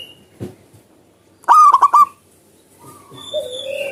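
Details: In the wild, a zebra dove gives one loud, quick, rolling series of stuttered coos. A soft knock comes before it, and faint whistles and a low hoot from other birds follow.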